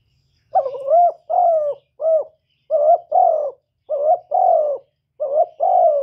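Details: Decoy spotted dove cooing steadily to rouse wild doves: four rhythmic two-part phrases, a brief warbled lead note and a rounder falling coo, with one extra short coo and a faint low hum.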